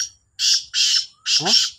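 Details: Black francolins, two birds competing in call (Sindhi kala teetar, Sahiwal): three grating, rasping bursts, the final one doubled, with a short low warbling sound under the last pair and faint low rumble behind.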